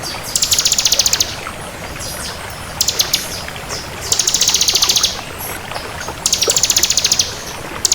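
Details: Bar-winged prinia of the 'kristal' type singing vigorously: high, buzzy, rapidly pulsed trill phrases about a second long, repeated four times with short pauses, over faint background noise.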